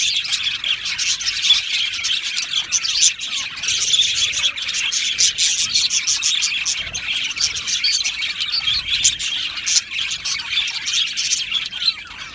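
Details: Australian budgerigars in an aviary colony, singing and chirping together: a dense, continuous wash of high twittering, chirps and warbles overlapping without pause.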